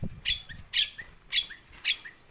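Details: A Nias hill myna being talked to, recorded 17 October 2021, gives four loud, harsh, broadband calls about every half second. Each is followed by a short rising whistle.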